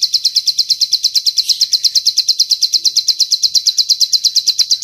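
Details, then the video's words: Training recording of bar-winged prinia song with long cililin-style fill: rapid, even, high-pitched chips repeated about three times a second without pause. No other sounds. "Masteran Ciblek Sawah Isian Cililin Panjang||Suara Jernih Bersih"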